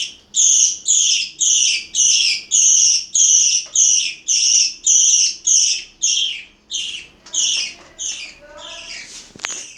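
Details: Parakeets feeding at mealtime in Itaim Paulista, São Paulo: a long even series of sharp, high chirps about twice a second, fading near the end with a brief flutter and click.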